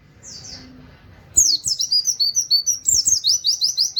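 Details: Rapid-fire white-eye song in a canary-style wit-wit pattern: after a brief soft phrase and a second of near silence, a loud run of quick, high, downslurred notes repeats steadily to the end.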